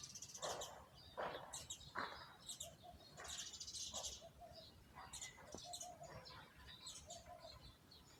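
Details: Birds in a garden with plants and trees, chirping in quick bursts: sharp sweeping notes and high twittering trills, several callers overlapping, with soft background hiss.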